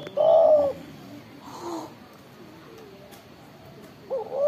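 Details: Spotted dove with a loud voice: one low, steady hooting coo at the start, a quiet pause with faint rustling, then the next coo phrase beginning at the end.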